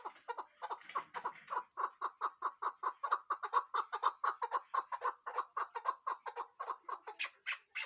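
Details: Chukar partridge calling in a long, steady series of harsh clucking notes, about two per second, mid-pitched and rising in intensity toward the end, with faint overlapping notes early on.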